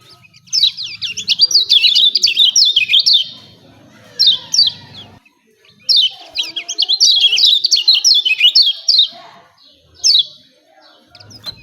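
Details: High, quick twittering phrases from a lemon-bellied white-eye, meant to stir birds to sing, delivered in three or four bursts with silent gaps between.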